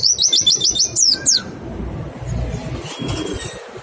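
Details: Mountain white-eye, pleci, 'nembak' song as a lure to prompt singing: a brief rapid trill of high, falling notes lasting about a second and a half, then only low background rumble and a faint whistle.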